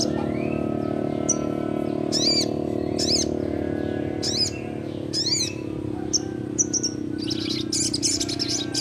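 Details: Young crimson sunbird giving loud, sharp, downward-swept high notes about once a second, then a dense high twitter at the end, over a steady droning hum.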